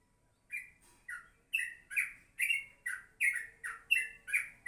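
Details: Morning song of a yellow-vented bulbul, a lively series of about eleven clipped, bubbly chirps at an uneven pace of a little over two per second, each note a quick downward slur, with nothing else audible.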